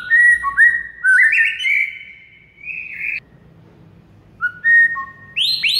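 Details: White-rumped shama singing in a recording used to spur silent birds into song: bright whistles climbing into a long sustained note, silence, then short whistled phrases ending in a sharp rising sweep.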